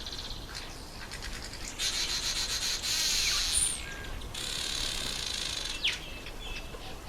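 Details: Red bishop during breeding season: sustained high sizzling, hissing buzz in long bursts, interrupted by a few sharp upward and downward whistled slurs and brief ticking notes.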